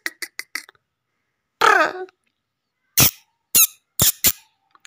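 Black francolin: four quick squeaky notes, a harsh grating rasp, then several sharp, clicking, scraping notes at an uneven pace.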